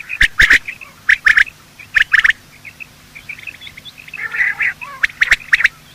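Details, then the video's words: Male and female quail giving morning calls, a recording used to lure quail for hunting: sharp clipped notes in clusters of two or three, separated by pauses, with faint soft chatter between bursts. "Quail calling sound: master the Art of Quail tripping | Bater Awaz Subha"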